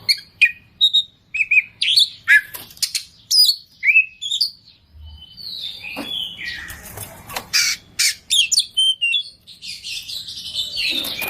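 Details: Kacer, the oriental magpie-robin, singing gacor with full isian: varied phrases of sharp clicks, slurred whistles and harsh rasping bursts follow one another with short pauses, over faint low background hum.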